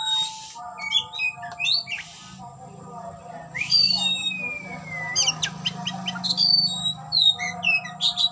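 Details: Oriental magpie-robin displaying and opening its tail while singing: scattered high whistles and a long descending slurred whistle, with a steady low hum and murmuring in the background.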